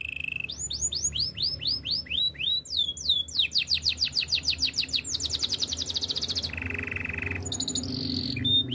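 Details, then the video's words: A Belgian canary's training song moves from a brief level note into descending whistled sweeps, rapid rattling tours, a low steady rolling trill and a few scattered high notes. "Canary training song - Belgian canary singing"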